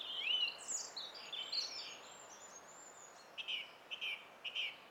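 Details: Song thrush song recorded on 20 April 2016. Several varied whistled and chirping phrases come first, followed by softer, shorter notes. The setting sounds quiet and outdoors.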